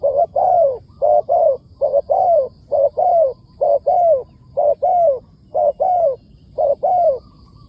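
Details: Wild spotted dove calling back to a decoy bird: a rapid, continuous series of mellow coo phrases, each a quick pair of notes and a drawn-out downward coo.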